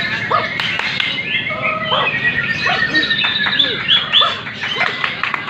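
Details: White-rumped shama singing at a bird singing contest in Medan, at hanging post number 10: rich whistled phrases with rapid rising and falling sweeps and sharp chips, overlapped by other singing birds and background crowd chatter.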